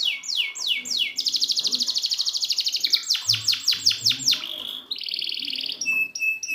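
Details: Canary song for teaching canaries that won't sing: a few long descending sweeps, then a fast buzzy high trill, a series of loud clipped notes, and a final lower steady rolling tour.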